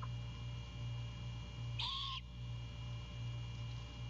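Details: Great horned owl at a Savannah nest at 05:12 on 4/2/22, as the male delivers a bird to the female and owlet for breakfast, gives one short, harsh, raspy squawk under half a second over a steady low electrical hum.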